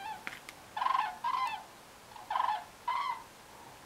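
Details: Flocks of common cranes migrating south at night over the French Pyrenees near Aspet give loud, rolling trumpeted calls, four of them in two pairs about a second apart, over a faint steady hiss.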